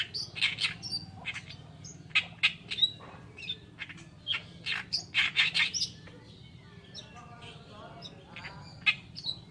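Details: Masteran tutor song from an Oriental reed warbler, locally kerakbasi alis putih: harsh, clipped chattering notes in irregular bursts, some squeaky, separated by short gaps.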